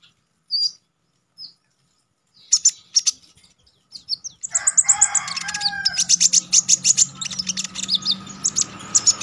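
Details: Konin (Olive-backed Sunbird), a contest songbird, starts with two isolated high chirps. Scattered sharp notes follow, then a dense, chattering torrent of rapid chips and buzzy twitters.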